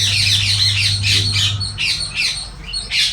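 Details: Harsh, grating parrot squawks in a garden, about four burst-like calls a second in an uneven rhythm, with a low hum early on.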